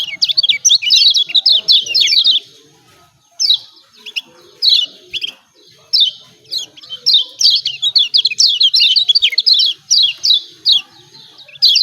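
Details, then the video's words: Yellow white-eye from Lombok, a recording used as a lure to prompt reluctant birds to sing: bursts of rapid, high, scratchy ciak-ciak chattering notes lasting a few seconds each, separated by short pauses. "CIAK CIAK JOSS KECIAL KUNING AMPUH||PANCINGAN KECIAL MALAS BUNYI||"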